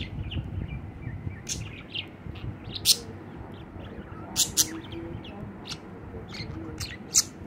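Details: Pet budgerigar singing while sitting on a hand, a busy run of high chirps, tweets and sharp clicking notes, some louder bursts near the end, with low background hum.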